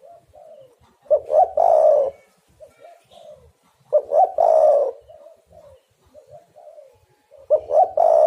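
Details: Lure call of a spotted dove used for trapping. Three loud phrases, each two clipped notes and a long throaty coo, about every three seconds. Quieter muffled coos fill the gaps, with faint background clicks.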